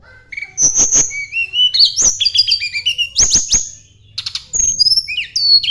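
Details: Sunda blue robin singing to find a rival: a busy stream of rising and falling whistles, rapid clicks and short trills, then a pause before more descending whistled notes.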